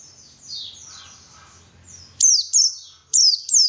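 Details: White-eye song meant to coax others into singing: soft, high descending twitters at first, then four loud, piercing down-slurred chirps in two pairs with a short gap between.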